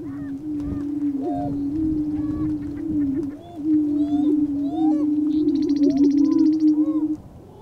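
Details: Several male lesser prairie chickens booming together in Kansas's Flint Hills to win a hen: continuous deep humming moan under scattered upslurred whoops and chatter, with a brief high buzzy trill near the end.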